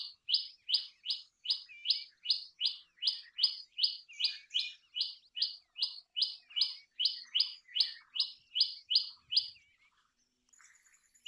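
Common tailorbird gives a loud, sharp, high note repeated rapidly, about two or three per second, for ten seconds in a steady insistent run.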